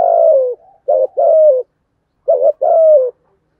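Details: A spotted dove coos rapidly to provoke rival doves: a long falling note, then two complete phrases, each a clipped double note leading into a sustained, downward-gliding coo.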